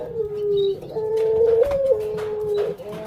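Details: Breeding female puter pelung dove about to lay eggs gives a sustained low coo. The tone holds level, lifts briefly, then drops back in a smooth stepped line, with constant background noise.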